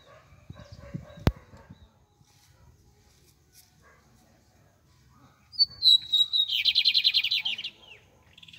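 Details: Bigodinho, the double-collared seedeater, gives a single song after a quiet stretch. A descending high whistle runs straight into a dense, rattling trill of quick repeated notes for roughly two seconds. One sharp tap is heard earlier.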